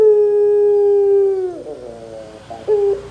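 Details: Barbary dove calling as a lure for young birds to reply: a long, level, hollow note lasting over a second, sliding down into a soft rolling trill, then a short coo at the end.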